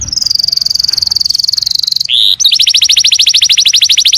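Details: Canary song used as a training recording for other birds: a long high trilled tone, a short rising buzzy note, then a fast even trill of repeated high notes.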